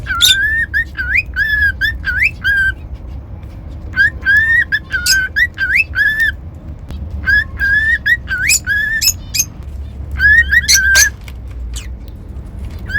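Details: Extended cockatiel whistling: repeated groups of upswept and level tonal notes broken by sharp chirps, several bursts separated by short pauses, with low background hum throughout.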